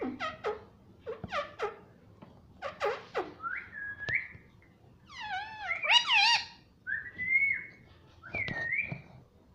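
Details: {'caption': 'Pet parrot in a room mimicking mummy papa, several short clipped calls followed by a drawn-out harmonic phrase and flat whistled notes repeated near the end.'}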